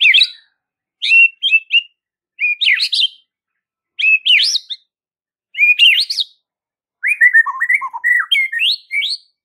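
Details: White-rumped shama masteran song intended to get other shamas answering: short, rich whistled phrases of twisting notes repeated about every one to one and a half seconds, ending in a longer, rapid warbling sequence.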